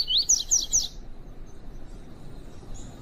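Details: Female double-collared seedeater calling in tui tui style to excite a male during training: a quick run of rising whistles leaping to higher, thinner notes within one second, then near silence with low background hiss.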